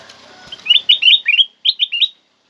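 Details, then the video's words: Black-crested bulbul, a loud and clear song meant to coax pet birds into singing: a lively run of short, slurred whistles in two bursts, the second after a brief pause. "Jadikan kutilang emas anda emosi dengar suara kutilang emas ini"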